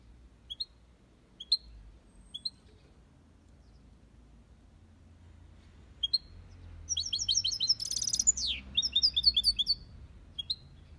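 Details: Caged European goldfinch in an aviary, copia Malaga song style: isolated bright chirps every second or so, then a rapid burst of high twittering with a harsh buzzy rattle in the middle, over a soft low background hum.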